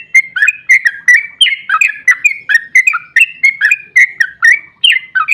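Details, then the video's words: Trucukan (sooty-headed bulbul) pouring out a long ropel song to provoke rival bulbuls: crisp whistled notes in rapid succession, many sliding downward, some flat and higher, forming a lively tumbling phrase without pause. "Trucukan GACOR ROPEL PANJANG EMOSI buat pancingan trucuk agar cepat bunyi JADIKAN burung NYAUT giras"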